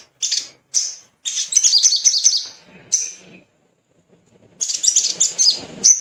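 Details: High, piercing chip notes from a little spiderhunter, used as a singing stimulus, delivered in scratchy rapid bursts with a quiet gap of about a second before a final busy flurry.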